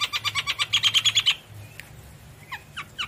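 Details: Javan myna (jalak kebo) in full song gives a rapid run of about a dozen harsh, buzzy chattering notes over just over a second, then a few sharp, squeaky down-slurred whistles.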